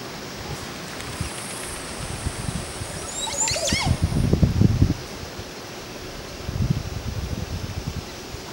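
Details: At Rancho El Rodeo in Costa Rica's central valley, from a tree full of nests, a male Montezuma oropendola gives its mating call, dropping upside down and waving its wings: one short, synthesizer-like burst of liquid gurgling notes sweeping sharply upward, over low rustling and thumping.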